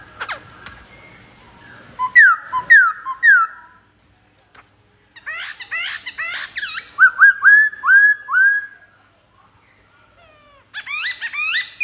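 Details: Black-throated laughingthrush in full song: loud arched whistles in series, a burst of rapid varied chattering notes, then more repeated slurred whistles and a final jumble of rich phrases.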